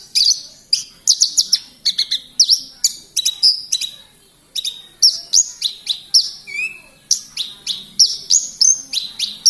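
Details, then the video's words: Horsfield's bush lark singing vigorously in Kediri: a dense run of sharp, high chirps and downward-sweeping notes, mostly in quick bursts, with a brief pause near the middle and a short lower whistled note before the chirping resumes. "Branjagan gacor"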